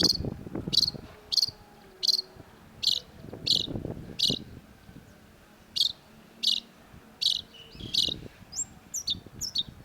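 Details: Long-tailed shrike (cendet) in full song: sharp, high, clipped notes repeated steadily, roughly 80 per minute, ending in a few quick whistled slurs, over soft low background rumble.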